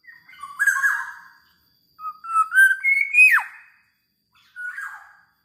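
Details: Black-naped oriole in energetic song: a rich whistled phrase, a pause, then a rising run of liquid notes ending in a steep downward slur, and a final short whistle.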